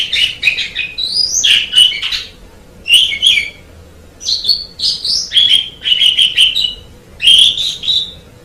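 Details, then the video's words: Song of an Asian pied starling, used to tutor other songbirds. Short phrases of rasping chatter mix with clear rising whistles, each burst followed by a short pause. "MASTERAN JALAK SUREN MEMANG SANGAT BAGUS SUARA KICAUNYA"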